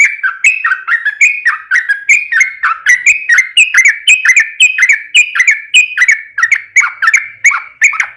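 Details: Long, unbroken yellow-vented bulbul song played to provoke others into answering: rapid, rollicking chains of liquid chirps that dip and rise, delivered almost without gaps.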